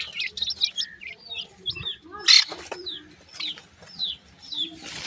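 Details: Pheasant chicks pecking at new food give clear, piercing downslurred peeps in short series, with one loud click and a burst of hiss near the end.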